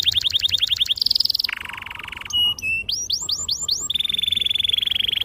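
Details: Singing canary in an emotional gacor style with long rolls, clear sharp tone, used as a lure for young canaries learning song: quick repeated chips, a dense buzzy roll, rising upswept whistles, then a level high trill.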